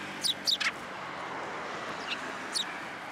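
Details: Sparrows at Tenmangu shrine coming to take food from a hand, 12 December 2022: three sharp high chirps close together, then two more scattered ones over a steady background hiss.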